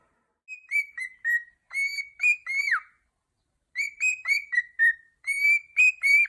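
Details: Pet male cockatiel singing along with its owner: clear whistled notes at a steady middle pitch, some rising, some dipping, in two phrases of about six notes each separated by a short pause, with no other sounds.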